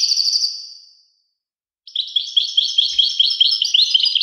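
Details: ['A high, rapid twitter that fades away, almost a second of silence, then a European goldfinch resumes with quick, bright chirping notes repeated steadily.']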